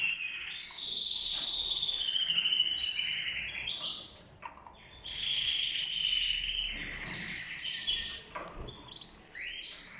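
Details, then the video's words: Mosaic yellow-orange canary of a breeding pair, female incubating four eggs, sings a long, fast run of high, bright twitters and trills with rolling phrases and brief pauses over faint background hiss. "تزاوج الكناري الموزاييك"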